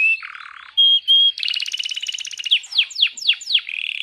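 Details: Hand-held canary singing energetically: a low buzzy trill, two piercing steady whistles, then a rapid rattling trill and a series of downward-sweeping chirps.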